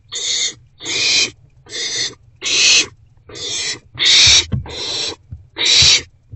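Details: Nest-box owl, wild, 29 March 2024 at about 7:41–7:44 pm, as two rodent deliveries arrive. Eight rough, breathy hiss bursts follow one another fairly evenly, about every three quarters of a second, with soft low thumps between.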